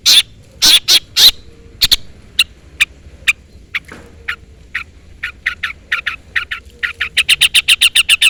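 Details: Long-tailed shrike calling a rival: loud harsh chatter notes at first, then spaced scratchy calls, building into a rapid regular series of rasping notes at the end.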